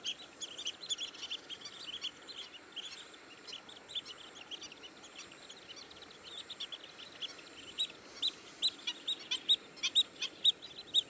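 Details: Long-billed dowitcher giving thin, high peeping notes, scattered at first, then a faster run of louder sharp notes near the end, over constant hiss.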